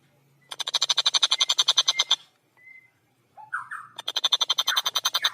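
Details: Long-tailed shrike singing actively in a training recording for songbird keepers, with a clear voice and tightly packed, fast delivery: two long bursts of rapid, harsh, buzzy repeated notes, roughly ten a second, broken by a short whistle and a brief rising chirp.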